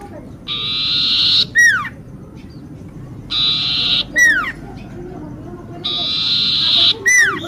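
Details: Common iora singing for luring: three buzzy trills of about a second each, every one closed by a steep falling whistle, roughly every two to three seconds.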